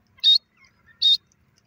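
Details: Grey francolin giving its call: two brief, piercing, metallic notes less than a second apart against a quiet background.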